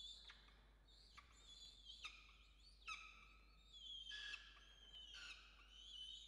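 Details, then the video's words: Evening feeding at a peregrine falcon nest in Orange, Australia, 5 November 2021, with adults and a chick; loud, high, rasping screeches come in drawn-out bursts about once a second, some slurred downward, over low background hum. "Sokoły wędrowne - Diamond & Xavier & Yurruga - Wieczorne karmienia"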